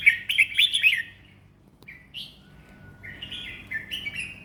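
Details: Red-whiskered bulbul, a competition bird, singing a relaxed flowing song: a quick cluster of bright warbled notes, a pause, then looser whistled phrases, over a low steady background hum.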